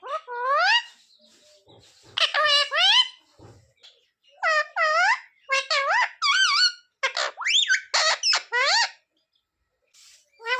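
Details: Pet parrot that talks, reportedly saying sita-ram and jay shree ram: a long series of paired, rising harmonic syllables in bursts, with short silences and faint clicks between phrases.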